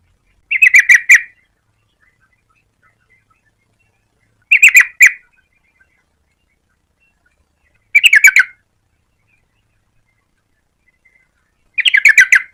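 Yellow-vented bulbul giving short, bubbly chattering phrases of a few quick notes, repeated about every four seconds with silence between.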